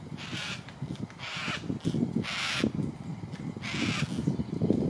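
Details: Yellow-tailed black cockatoos at Tamar Island Wetlands, Launceston, Tasmania, Australia (dated 090620) give four harsh, drawn-out wailing calls about a second apart, over a steady low rumble of wind.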